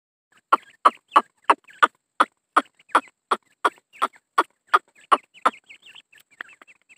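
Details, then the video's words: Grey francolin (Dakhni teetar), a pair with two-month-old chicks: a loud run of about sixteen harsh, clipped notes, roughly three per second, steady then trailing off into softer fragments. "dakhni Teetar francolin Awaz"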